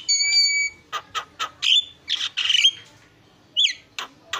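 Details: Javan myna singing in bursts: a long steady whistled note, then several harsh squawks and a noisy rasping phrase, a pause, and a short twisted whistle followed by two sharp chips.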